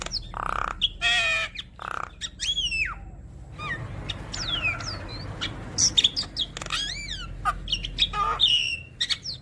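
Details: Javan myna chattering song packed with varied imitated phrases, played to set other mynas singing: harsh broadband bursts alternate with sharp rising and falling whistles and buzzy notes, phrases tumbling quickly one after another over a low background hum.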